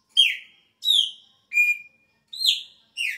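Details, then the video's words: Chopi blackbird at the start of its season, with a changed song. Five clear whistled notes follow in quick succession, about 0.6 seconds apart. Most slur downward and one is a long level whistle, with no other sounds. "PÁSSARO PRETO INÍCIO DA TEMPORADA ELES MUDA O CANTO !"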